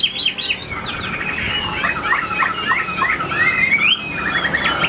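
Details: Caged Chinese hwamei, a songbird kept by hobbyists in Vietnam's northwest, singing a busy stream of quick whistled notes and slurred phrases, sweeping up and down, with a low steady hum underneath.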